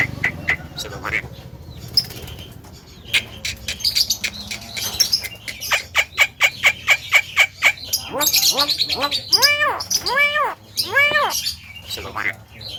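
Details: Talking Javan myna calling to provoke other mynas. Scattered clicks lead into a steady train of sharp ticks about twice a second. Then come high harsh notes and a series of loud arched, nasal calls.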